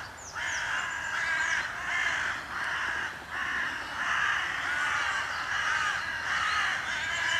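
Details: Several Carrion Crows in a territory at Voßmoor, about 8:45 on 17 April 2023 as the sun breaks through, caw harshly and hoarsely at once, a continuous overlapping clamour roughly one call a second; possibly disturbed by a kite.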